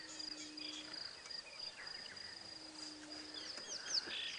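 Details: Rattling cisticola perched atop a small tree on an early-morning safari drive at Djuma Game Reserve, March 28, giving its alarm call at approaching people: sharp, scratchy chirps in quick scattered bursts, over steady high insect whine and faint low hum.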